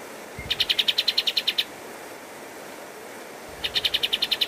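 Pied triller giving a fast, even trill of about a dozen bright, high notes in just over a second, then starting another burst after a pause.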